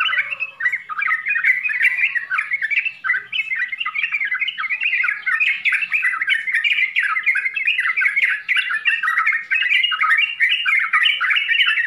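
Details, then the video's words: Yellow-vented bulbul full varied song for coaching young birds: nonstop dense chattering warble, notes tightly packed and overlapping across twelve seconds, faint high hiss above. "SUARA TRUCUKAN FULL ISIAN UNTUK PEMULA DIJAMIN LANGSUNG NYAUT, TRUCKAN SOUND FULL CONTENT"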